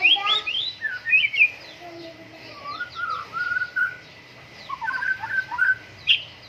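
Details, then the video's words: A white-rumped shama in full morning dew airing song: high, bright notes at first, then mellower, lower whistled phrases and a cluster of quick notes near the end. "MURAI BATU GACOR, PROSES BURUNG MURAI PENGEMBUNAN PAGI"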